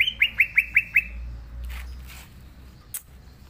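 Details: Green leafbird in full, vigorous song: five quick upslurred whistled notes at an even pace, then a thin trailing whistle, followed by softer rustling and a brief sharp click.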